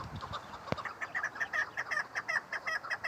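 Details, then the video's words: Female chukar partridge: a sharp click, then a brisk series of clucking chuk notes rising in loudness, about three per second. "Female chakor sound keklik sesi"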